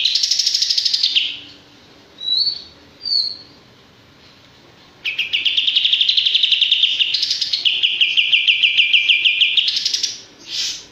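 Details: Male olive-winged bulbul with scattered short rushing notes and soft whistled slurs, then a long sustained rapid chirping trill that shifts pitch slightly midway before fading.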